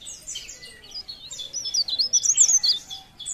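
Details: Leaf warbler singing a fast, thin, high twittering phrase with quickly wavering notes that swell in the middle and fade at the end.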